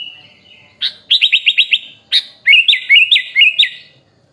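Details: Sooty-headed bulbul singing a training song with fill-in phrases: a thin steady whistle, then a fast run of five sharp repeated notes, followed by four looping up-and-down whistled notes in steady rhythm.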